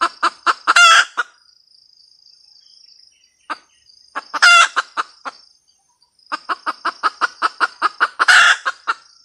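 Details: Red junglefowl hen cackle in three bouts, each a quick run of short clucks ending in a loud, drawn-out squawking note, separated by near-silent pauses.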